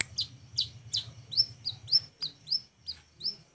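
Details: Flowerpecker used as master song for training other birds. Sharp high downslurred chips repeat roughly every third of a second in a steady series, with only a faint low hum behind.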